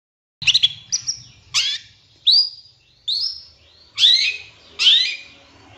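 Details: Long-tailed shrike master song played to provoke other birds: loud, sweeping, slurred whistles that rise then fall, delivered one by one roughly every second, with short chirps at the start.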